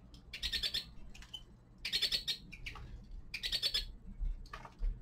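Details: Winter song of a young male common linnet: three bursts of rapid, buzzy twittering about every one and a half seconds, with single clipped notes between, over a faint low hum.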